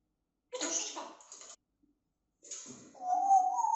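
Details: Female grey parrot kept indoors as a pet, left alone in her cage while the owners are out: two harsh, noisy bursts separated by a pause, then a loud tonal whistle that rises and wavers toward the end, in a quiet room.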